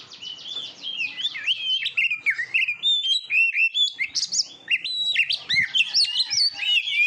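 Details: Kacer, or Oriental magpie-robin, in a training recording for competition birds: a steady stream of rapid buzzy trills and whistled slurs, growing louder and more varied toward the end.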